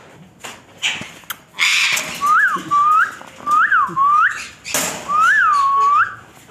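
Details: African grey parrot whistling a series of rising-then-falling whistled notes, about five in a row, broken by a few harsh noisy bursts, indoors.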